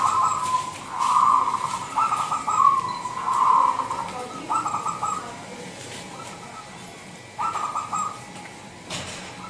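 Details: Local wild-stock zebra dove from Indonesia, singing a lure call meant to attract other doves: rapid bubbly trilled coos strung into a rolling phrase, then a pause and a shorter burst near the end.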